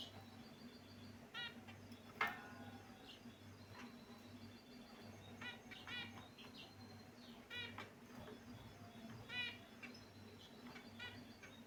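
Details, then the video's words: Caged finches chirping while moving about, with scattered short nasal notes and small chirp clusters, one sharp click, and a steady hum underneath. "Beautiful Finch Birds Chirping Sound"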